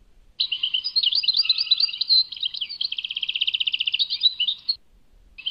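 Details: European goldfinch song, Tadmait: a lively, unbroken run of twittering, tinkling notes, then a fast buzzy trill of evenly repeated notes, ending about 4.7 seconds in, followed by a short silence and a restart.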